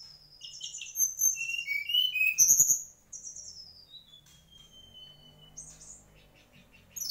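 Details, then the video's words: Whistled song of a mangrove whistler: clear notes at two pitch levels in the first three seconds, a sharp chirpy burst, then quieter trailing whistles and a faint low background hum. "Tledekan asli bakau"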